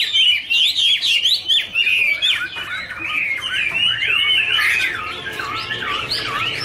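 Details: Chinese hwamei duet during a dance with fanned wings; fast, jumbled whistled and scratchy notes tumble densely, louder at first, then a steadier, slightly softer warble continues.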